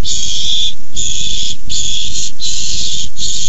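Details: Rasping hissed screeches from barn owls quarrelling over a tiny mouse on 6-4-15. The noisy bursts of about half a second come almost back to back with short gaps, over a continuous low rumble.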